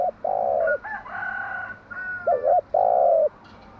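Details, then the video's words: Spotted dove hen cooing in the morning to rouse decoy doves: loud sustained coos broken by a double coo, with a fainter whistled tone running beneath. "Tiếng chim gáy bài bản gáy buổi sáng"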